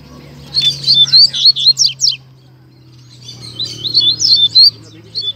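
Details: Double-collared seedeater (coleiro) in a song duel with a second coleiro, 2019/20 season: two bursts of rapid, high, warbled and slurred notes, each lasting about a second and a half, separated by a short pause, with a low hum and faint voices behind.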